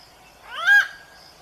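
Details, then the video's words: Malabar grey hornbill, described as a rare bird, giving one short, harsh, nasal squawk that rises then falls, with a faint high hiss behind it. "Hornbill bird Singing sound,What sound does a hornbill make?(Malabar grey hornbill)"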